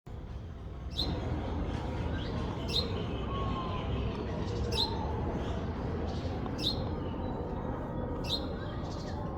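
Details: Baby parrot giving short, high chirps that sweep downward, five calls spaced about every two seconds, thin against a steady low rumble of background noise.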